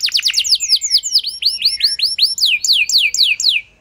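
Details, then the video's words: Canary lure song to prompt a quiet canary into long singing: a varied series of clear swooping whistled notes, each arching down, delivered about four per second. "Pancingan Ampuh Bikin Gacor Kenari Kurang Emosi! Jadi Gacor Panjang"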